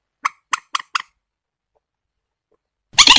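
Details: Warbler calling with four quick rasping notes in a row, then a pause and a loud burst of noise at the very end.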